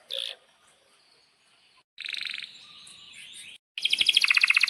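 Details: Canary in breeding excitement, song used to stimulate and tutor young canaries: a brief chirp, a buzzy trill fading to a quieter tone, a short gap, then a loud fast rolling trill.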